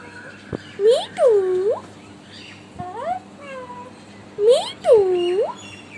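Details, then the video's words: Young pet Alexandrine parakeet, six months old, imitating speech like "I love you", producing drawn-out, swooping whistled syllables that dip then rise, in two paired bursts a few seconds apart, with light clicks and faint background hum. "My 6 months old parrot saying " mittu" and "I love u""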